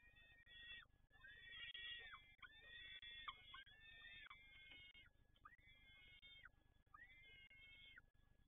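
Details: At Toruń, a peregrine falcon gives a series of strained, wailing calls, each ending in a downward hook. Several overlap at first, then they come singly about every second and a half over a steady low rumble.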